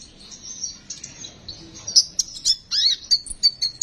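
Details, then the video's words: High, thin sunbird twittering, played to coax untrained birds into singing: soft sibilant trills at first, then louder quick chirps and a brief squeaky rising-falling phrase, notes coming in rapid succession. "Besetan burung konin,,cocok buat pancingan burung konin bahan agar mau bunyi"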